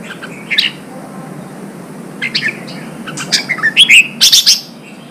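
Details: ['Red-whiskered bulbul, newly caught and being trained for singing contests; scattered sharp chirps build into a fast bubbly run of high whistled notes near the end.']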